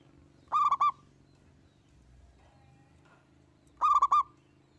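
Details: A single local zebra dove singing vigorously, its song used to prompt other birds to sing: two bursts of four to five quick stuttering, ringing coos about three seconds apart, over a faint low hum.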